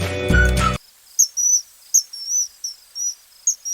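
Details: Common Kingfisher in Sri Lanka giving thin, shrill, very high whistles, about eight short notes in three seconds, after a brief burst of music at the start.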